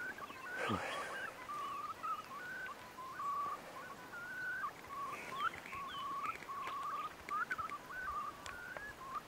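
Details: Far Eastern curlews in courtship, early May 2016, Bira River, Central Priamurye, Russia: a continuous chain of brief, bending whistled notes. A swooping noise opens the recording and faint camera clicks come and go.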